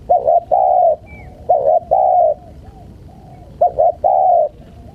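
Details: Spotted dove coo phrases meant to tease wild birds. Two short bent notes lead into a sustained hollow coo, repeated three times in quick succession. A faint high chirp is heard once.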